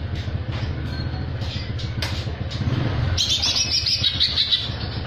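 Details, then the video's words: Greater green leafbird, jamtrok song with tengkek filler: a steady low engine-like rumble at first, then a sudden stream of fast, shrill, rattling high notes through the last two seconds. "cucak hijau jamtrok isian tengkek"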